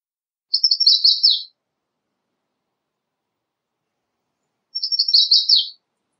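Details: Two identical songs from an American redstart about four seconds apart, each a quick sequence of high sharp notes finishing with an emphatic falling note.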